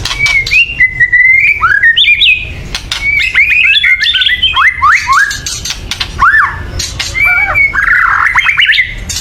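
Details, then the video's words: White-rumped shama in an agitated state, calling loudly to rouse birds into song; rapid chattering clicks interwoven with rising and falling whistled phrases, sustained for the whole stretch with little pause. "kretekan keras murai / menaikan emosi agar bunyi"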